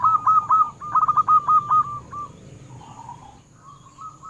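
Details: Local zebra dove singing, used to draw song from captive doves: a loud burst of quick, clipped coo notes in the first two seconds, fading into soft, muffled cooing.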